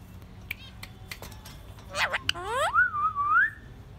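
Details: Pet parakeet singing indoors: a few short clicks and chirps, a burst of rapid harmonic chirps, then a long clear whistle that rises, dips and rises again before stopping, with faint room hum.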